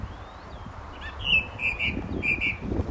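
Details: Song thrush near St Albans, Britain, singing in May 2012: a few scratchy notes, then a pair of whistled phrases, then another similar pair, over light outdoor background noise.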